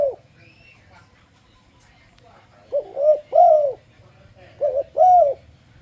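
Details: Lure song of a spotted dove, used to coax other doves into singing along. A brief coo starts, then two phrases of paired hollow coos arrive about two seconds apart, the second note in each longer and arched. Faint hum behind.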